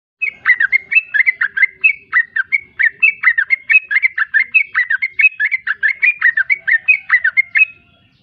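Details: Sooty-headed bulbul singing in the rapid konslet style: dense, continuous run of short whistled and slurred notes, rising and falling, about one and a half notes per second, sustained for over seven seconds with no other sounds.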